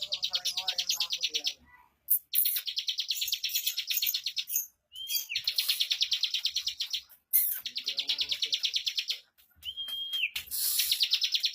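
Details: Bar-winged prinia in fast, dense 'ngunci speed rapat' song. Long runs of very high, quick buzzy chips break off briefly, with an occasional drawn-out whistle between bursts.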